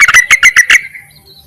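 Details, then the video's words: Yellow-vented bulbul call meant to summon males and lure birds: a single rapid burst of six loud, bubbly chirps in under a second, then a faint trailing tone. "BURUNG TERUCUKAN MEMANGGIL JANTAN COCOK JUGA UNTUK PIKATAN"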